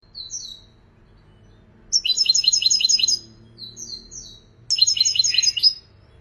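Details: European goldfinch singing: a few thin high notes, then two bursts of rapid liquid twittering about a second long, each made of repeated bright chirps with buzzy overtones, separated by a brief pause.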